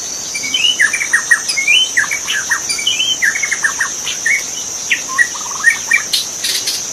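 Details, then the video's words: Forest magpie-robin in the wild giving a lively varied song: whistled slurs, chirps and quick stuttering note runs, nearly continuous, with a persistent high-pitched insect hum behind. "Masteran suara burung murai asli di hutan"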